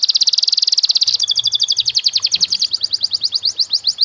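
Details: Canary singing fancy cengkok master phrases for tutoring young birds: a dense rapid trill of high notes shifting into a long series of quick repeated chirps.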